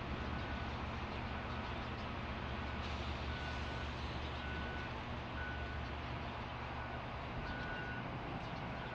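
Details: A truck's steady engine rumble with repeated reversing beeps in an urban setting; no animal is heard.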